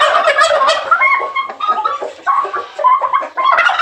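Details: A tail-fanning male turkey calls for a female in breeding season: fast, gurgling gobbles pouring out in uneven bursts with a few brief dips.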